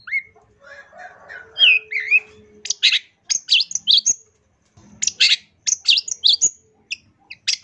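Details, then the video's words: Long-tailed shrike singing in the gacor full isian style, a busy song full of added phrases: wavering whistles at first, then loud bursts of harsh, scratchy high notes in quick groups, a short pause, and more rapid rasping phrases. "CENDET GACOR FULL ISIAN"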